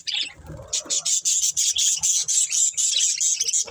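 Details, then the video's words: Breeding pair of budgerigars chirping: after a brief low rustle, a rapid run of sharp, high, pulsed chirps repeats about twice a second, steady and bright throughout. "Beautiful Budgies Chirping Sounds"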